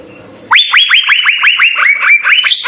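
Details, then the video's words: Asian fairy-bluebird singing persistently, a master recording for training songbirds: after half a second of quiet comes a fast, bright run of rising whistled notes, about four per second, holding steady and climbing higher at the end. "Hargacor suara 4 CUCAK BIRU GACOR full isian SI BURUNG SURGA, cocok sekali untuk masteran"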